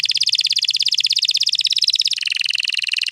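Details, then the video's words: Canary delivering a long rolling song meant to prompt another canary to sing, recorded 21 April 2022: a rapid, even trill of high buzzy notes that drops slightly lower partway through. "pancing burung kenari jadi ikut bunyi GACOR Ngerol Panjang"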